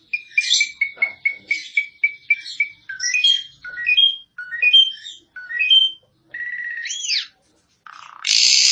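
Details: Asian pied starling song from a 2022 tutor recording for training birds. A clear whistled note repeats about ten times, followed by rising slurred whistles. A looping whistle and a final harsh burst end the passage.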